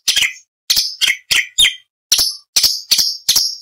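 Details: Training recording for contest songbirds: an orange-bellied leafbird gives bright, snappy chirps, some falling, in a quick uneven series with short pauses.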